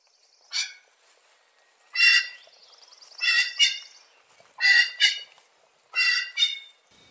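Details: Common pheasant calling with harsh, rasping notes, several given as quick doubled bursts separated by pauses of about a second, over a faint thin whistle in the background.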